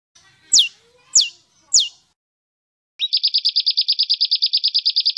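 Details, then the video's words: Rough 'besetan kasar' songbird training recording for pet and contest birds. Three sharp, steeply falling whistled notes about half a second apart, a brief silence, then a fast, even rattle of buzzy high notes. "MASTERAN BESETAN KASAR|| Bringas Kasar suara BESETAN kasar"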